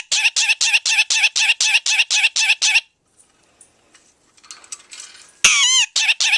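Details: Indy, a 23-year-old male pet Indian ringneck parakeet with a big vocabulary, says his favourite phrase "here kitty kitty kitty" as about eleven harsh, raspy syllables at roughly four per second, then a sharp squawk and more chatter.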